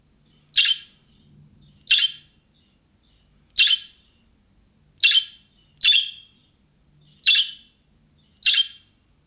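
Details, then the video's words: Seven short, grating budgerigar chirps at uneven intervals, the young-bird calling style that makes other budgerigars answer, with a faint low hum underneath. "MUHABBET KUŞU SESİ Kuşunuz Bu sese Karşılık Verecek Kuş Sesi"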